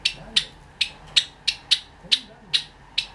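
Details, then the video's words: Cherry Java sparrow kept at home, singing a regular string of sharp, metallic clicks, about nine in three seconds, over faint low music. "さえずり文鳥動画 Java sparrow chirping"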